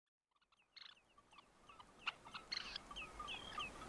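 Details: Red-necked Phalarope recorded in Tainan City, Taiwan, on 20 September 2015: after a near-silent start, short sharp chirps and brief twittering notes build up, some faint, scattered irregularly over steady low background noise.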